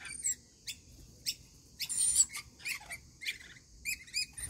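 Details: Feeding rainbow lorikeets give loud, rasping screeches and clipped chirps in quick clusters, including one longer grating squawk in the middle.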